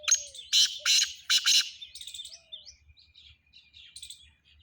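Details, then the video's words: Black francolin calling in Sindh, Pakistan, with a run of four rasping, broadband bursts, then softer high twittering from small birds in the background. "Kala Teeter"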